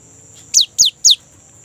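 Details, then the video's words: Three bright whistles, each sliding quickly downward, spaced evenly, from a young great tit singing energetically as a lure for kept birds. "GELATIK BATU MUDA GACOR | Glatik Ngerol Untuk Pancingan Gelatik Batu"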